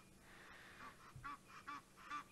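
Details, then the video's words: At sunset on 4 August 2017 at Djuma Game Reserve, Egyptian geese near a dam give harsh honking alarm calls at a leopard, about four bursts in two seconds, over a low background hum. "the Egyptian geese basically alarm calling at the leopard that's the sound that you can hear"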